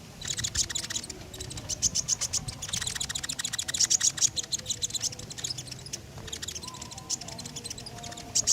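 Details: Common iora singing steadily as a lure for other songbirds: a dense, almost continuous chatter of fast, high, buzzy chirps and trills with few breaks.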